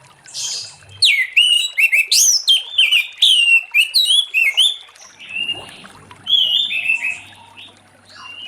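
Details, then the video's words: An orange-headed thrush in ngeplong song in the late afternoon, used to draw other thrushes into song: a fast, varied stream of sharp whistled and slurred notes, easing into softer scattered phrases near the end. "Anis Merah Ngeplong Sore Hari💥Pancing Anis Merah lain Cepat Bunyi"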